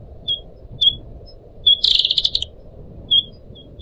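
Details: Pied Triller, a caged pet in Indonesia: short, thin, high whistled notes spaced apart, broken by one loud, buzzy, chattering burst lasting under a second.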